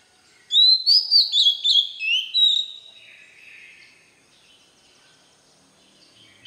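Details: White-rumped shama song used to train young birds: a burst of about seven quick, loud whistled notes with sharp upward and downward slurs, then a soft trailing phrase and near silence before another phrase starts.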